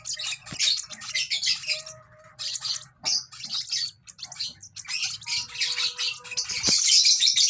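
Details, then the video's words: Lovebird chick gives choppy bursts of scratchy, high chirping separated by brief pauses, with a soft low hum in the background. "lovebird sounds baby bird - lovebird chirping sounds"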